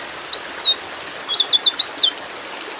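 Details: Female white-eye in breeding mood calling to a male: a quick string of high, thin chirps, each a rising or falling sweep, run together in a busy chattering phrase lasting about two and a half seconds.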